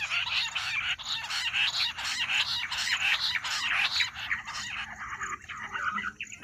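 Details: Bush quail call played for hunting: loud, scratchy chirped notes in quick rhythmic bursts, easing off toward the end into softer scattered notes.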